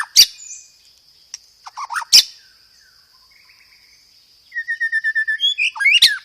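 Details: Clear, loud white-rumped shama song with sparrow-fight material and fast rolls. Sparse sharp chips and a short chatter, then a long even run of rapid repeated whistled notes ending in a harsh burst; constant high whine underneath.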